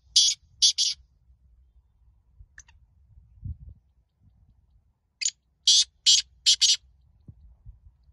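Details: Black francolin calling during a teetar contest: harsh, rasping, high buzzy notes in clusters of three and four, separated by several seconds of near quiet.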